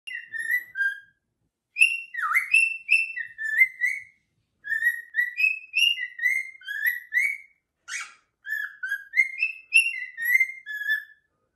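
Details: Two pet cockatiels calling: a steady run of clear whistled notes, many sliding up or down, grouped into short bursts with brief pauses, plus one harsh rasping note near the end. The background is quiet.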